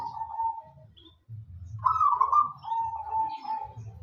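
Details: Local wild-type zebra dove singing actively. One rolling, trilled coo phrase, a short pause, then a longer louder phrase that rises and holds a level purring trill before fading, over a steady low hum.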